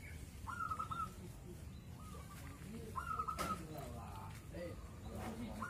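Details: Zebra dove singing for hours, kept at a house as a guard: short trilled cooing phrases, each about half a second, given four times at uneven gaps over a steady low rumble of background noise.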